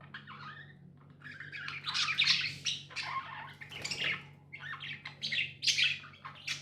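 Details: Tame pet budgies giving loud harsh squawky chirps in bursts, scratchy noisy notes between clearer warbles, several birds calling together, with a constant low hum in the room.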